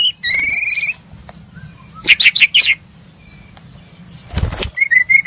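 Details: Brown-chested jungle flycatcher (Cyornis brunneatus) call: a drawn-out, slightly rising whistle, then a quick burst of five sharp chirps, a soft flutter and a few short high notes.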